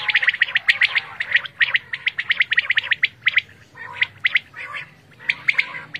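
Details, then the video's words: Quail in Pakistan, recorded for quail hunting, calling in quick runs of sharp, high chirps, some grouped in quick triplets, with short pauses between bursts. "Quail sound"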